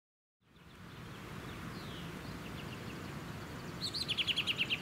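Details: An American robin in suburban Ludington, Michigan, USA, in June 2019 gives a quick burst of about seven sharp, high, even notes at the very end, over steady rushing wind and suburban noise.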